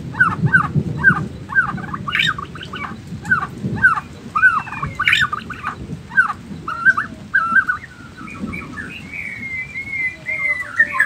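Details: Gacor Nias white-rumped shama repeating a short two-part whistled note roughly every half second, then shifting into longer wavering whistles, with a rumbling, rain-like noise underneath.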